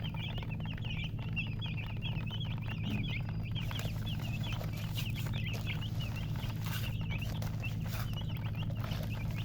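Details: Baby chickens chirp in a continuous chorus of thin, high peeps, roughly two a second but irregular, with brief crackling noise and an ongoing low hum.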